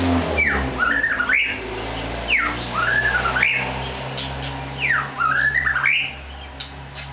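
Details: White-rumped shama singing the same whistled phrase three times, about every two and a half seconds. Each phrase has a sharp downward sweep followed by a wavering, rising run of notes. A low steady hum sits underneath.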